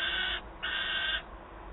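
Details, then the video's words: Peregrine falcon chick at Wałbrzych, Poland, recorded 9 August 2022, begging its mother for food: two rasping, nasal wails in quick succession, the second longer and steadier, over a soft background hum. "Gutek skarży się mamie "gdzie mój łup""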